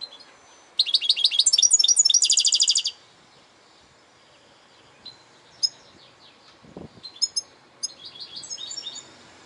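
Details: Goldfinch singing a dense, fast buzzy trill lasting about two seconds, then a pause and scattered sharp high chips and twittering notes, with one low knock in between.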